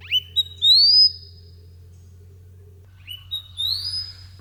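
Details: A Southern Scrub Robin, very close and unafraid, perched on a cut-off log a couple of hours outside Melbourne, Victoria, gives two calls about three seconds apart. Each is a few short chips leading into a clear, upslurred whistle.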